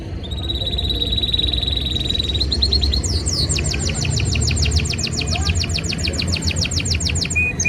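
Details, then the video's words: Canary in breeding season, singing to impress a female: a steady rolling trill that shifts into a long string of fast, evenly repeated downward-sweeping notes, with low background hum. "Most powerful Canary singing | breeding season | trying to impress female Canary"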